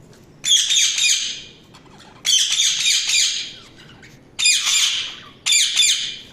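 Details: Budgies calling with long, rasping, noisy bursts lasting about a second each, four bursts separated by pauses, the later ones shorter and sharper.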